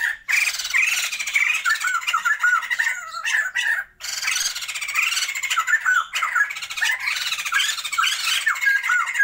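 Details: Loud, sustained raucous chattering from a captive breeding pair of Sumatran white-crested laughingthrushes, with looping slurred whistles in harsh squawks across three long bursts separated by short gaps.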